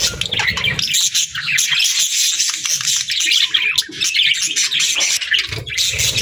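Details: Several budgies chatter during feeding time: continuous fast, scratchy warbles and chirps, broken by short pauses, with low shuffling noises at the start and end.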